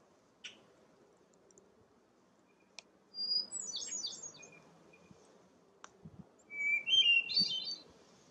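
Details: Hermit Thrush song heard on a bog walk at Parc Frontenac, Quebec: two ethereal phrases, each a clear whistled note leading into rising, tumbling flute-like trills, over a soft low rumble and scattered clicks.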